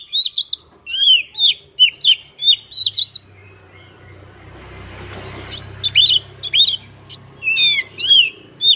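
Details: White-rumped shama (kacer) singing hard in 'gacor' style, rapid series of sharp downslurred whistles, a pause filled with low rumbling noise, then the quick whistled phrases resume.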